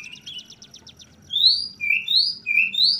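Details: Oriental magpie-robin of the trotol type singing ngeplong: a soft, fast ticking rattle opens, followed by four loud, clear slurred whistles in quick succession, some rising and some falling, with a low background hum.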